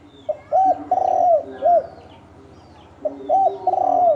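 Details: Spotted dove of the 'thổ đồng' kind, in a 'kích trống, kích bổi' fighting exchange. One full phrase of hooked coo, long rough descending coo and arched short coo. After a quiet pause, a second phrase begins.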